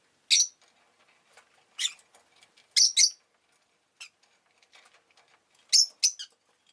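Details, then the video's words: Pet rosy-faced lovebirds, many calling that day, trade loud scratchy high chirps, some paired in quick doubles, with softer twittering and small ticks filling the gaps. "この日はみんな割とよく鳴いてました【Lovebird Chirping Sounds 、roseicollis、모란앵무、agapornis】"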